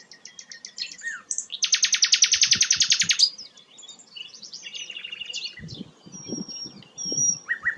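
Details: Sikatan londo, a rare flycatcher, sings high chirps followed by a long, loud buzzy trill and a softer trilled passage. Low thumping knocks are heard in the background.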